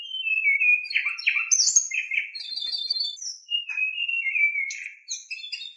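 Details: Lure song of a white-rumped shama meant to stir other shamas into singing, with long sliding whistles, short buzzy bursts and high sharp notes in a rich, varied sequence.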